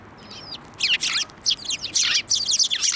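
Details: Several sparrows coming to a hand for food at a Tenmangu shrine, March 15, 2024: dense run of loud, sharp, high chirps, nearly continuous after a thin whistle-like note at the start.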